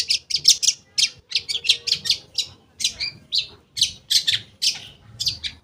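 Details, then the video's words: Long-tailed shrike lure song for shrikes that have fallen silent: clusters of rapid harsh scratchy notes alternating with sharper twitters, delivered in quick rhythmic bursts throughout. "Pancingan Cendet Ampuh, Pancingan Cendet Bahan Atau Macet Bunyi, Cendet Macet Akan Ikut Bunyi"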